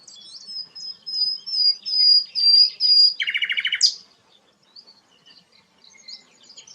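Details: Sikatan londo, a rare bird, delivering a long, thin, high whistle that swells in pulses, then a short rattling trill and a sharp upward note before quiet scattered chirps.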